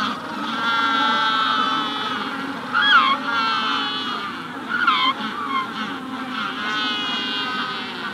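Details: Magellanic penguins in a colony at the hatching stage: a steady murmur of overlapping calls, broken by a few louder, sharply bending honks near the middle, with a rufous-collared sparrow in the background.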